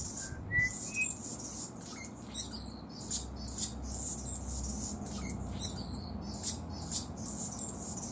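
An Anna's hummingbird sings a thin, scratchy, buzzy phrase of high squeaks and rasps, repeated in quick clusters over a low background rumble.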